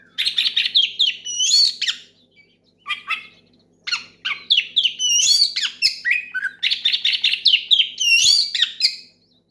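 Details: Loud, rich song of an oriental magpie-robin calling out a rival and triggering other birds to sing; long runs of fast chattering, whistled and squeaky notes with brief gaps, very busy and continuous.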